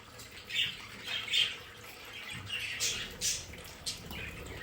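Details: Pet budgerigars in an indoor play area giving scattered harsh squawks and short chirps, several separate bursts spaced about a second apart in a small room.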